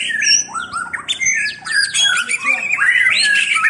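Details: White-rumped shama in full song: clear whistles, sliding notes and scratchy chatter mixed in a fast, varied sequence, with faint background murmur.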